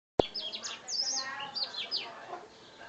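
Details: Young Black-throated Canary, two months old, sings a rapid, rambling twitter of high, thin notes with quick rising and falling slurs, after a sharp click at the start.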